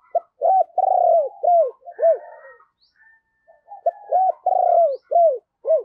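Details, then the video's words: Lure spotted dove cooing to draw wild doves: loud, rhythmic series of short, arched, hollow coos in two runs, separated by a brief quiet gap. "Chim Cu Mồi Thúc Và Gáy Gọi Bổi Mới Dùng Kích Bổi Hiệu Quả"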